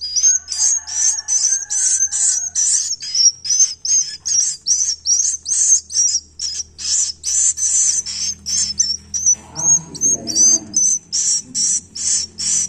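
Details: Young swiftlets give sharp, very high twittering chirps in quick succession, evenly spaced throughout. A faint low hum sits underneath and a brief lower rumble appears near the end.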